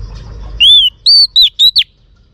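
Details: Female Oriental magpie-robin song aimed at stirring males, five loud clean whistles in quick succession, a long arched opener then shorter dipping and rising notes, with near silence after.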